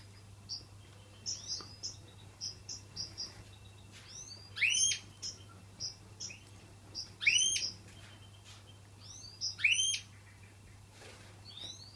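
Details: Indoor aviary of European goldfinches with chicks: quick high chirps, roughly two dozen a minute, broken by louder sweeping, rising twittered notes every few seconds over a constant low hum.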